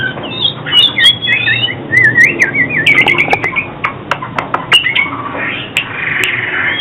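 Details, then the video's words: Oriental magpie-robin song used for trapping and song training: varied clear whistled phrases, rising and falling slurs and warbles in quick succession, with scattered sharp clicks and faint background hiss. "Tiếng chích chòe than chuyên dùng đi bẫy và luyện giọng chim hót hay mỗi ngày"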